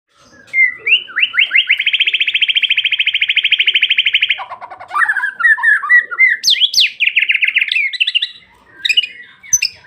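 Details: White-rumped shama in long continuous song: rising notes lead into a rapid, even rattle of ringing tones for about three seconds, then varied whistled phrases, slurs and sharp high notes.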